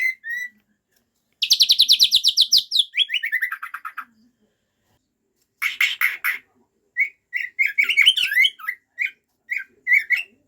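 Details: White-rumped shama showing off a varied repertoire: a long rapid series of high repeated notes descending in pitch, a pause, then short whistled phrases and chattering notes.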